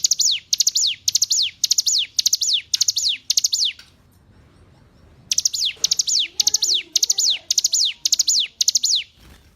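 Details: Tutor recording of hill prinia song for training caged birds: high ticking-and-falling-whistle phrases repeated about twice a second in a steady run, a pause of over a second, then another similar run of phrases.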